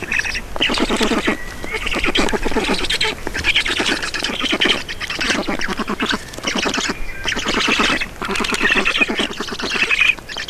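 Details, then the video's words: Estonian black storks at the nest during feeding, 4 June 2019, 18:07: repeated harsh, pulsed chattering bouts about a second long, coming steadily with brief silences between them. "Estonian Black Storks - Feeding"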